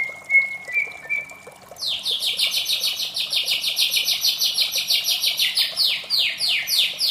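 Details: White-rumped shama singing in the morning: a steady high whistled note, then a fast run of sharp downslurred notes repeated about three times per second, climbing higher toward the end.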